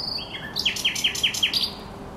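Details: A thrush nightingale sings by the Żerań Canal, 24 April 2022. A short whistled lead-in gives way to a fast series of five or six identical falling, ringing notes about every fifth of a second.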